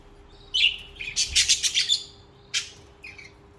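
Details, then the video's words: Pet budgerigars singing and chirping: a quick string of rasping, buzzy chirps about a second and a half long, then two shorter scratchy notes, over a faint steady hum. "Most Beautiful Bugies Song | Bugies Singing and Chirping"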